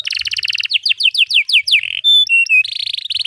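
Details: Domestic canary singing a long continuous song meant as a tutor for young canaries learning to sing; fast buzzy trills, rapid falling sweeps, then pure steady whistles and a dense rolling trill.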